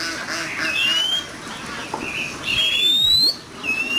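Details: Oriental magpie-robin singing hard in competition, giving pure rising whistled notes, three in four seconds, each sweeping smoothly upward, with softer warbled notes between them.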